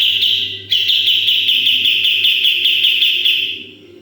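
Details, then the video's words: Sooty-headed bulbul training recording in full 'tembakan' style: a brief trill, a short break, then a sustained, rapidly pulsing high trill of about ten beats per second that fades near the end. "MASTERAN KAPAS TEMBAK GACOR FULL TEMBAKAN"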